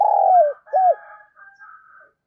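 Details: Decoy spotted dove calling to lure other doves: a long rolling coo sliding downward, then one arched note. Fainter higher twittering fades out after it.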